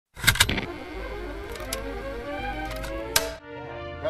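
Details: Music with layered tones, sharp percussive clicks and a typewriter-like rattle, ending after a brief pause; no animal sound is heard.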